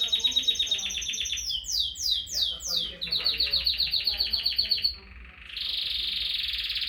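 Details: Canary singing a fast, high song made of rapid repeated trills, then a run of descending sweeps, another even trill, and finally a dense buzzy roll after a brief pause.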